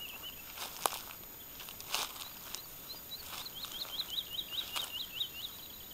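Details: Woodlark singing in early summer on fallow land in southern Alentejo, Portugal, about 20 metres away: a short series of repeated whistled notes mid-clip, with scattered clicks and rustles.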